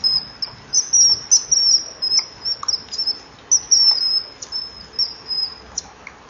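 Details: At a breeding wall on a July evening, common kingfishers call while a female drives off a juvenile that comes begging, a male close by. Long runs of shrill, thin, high whistles follow one another almost continuously, some drawn out, others clipped.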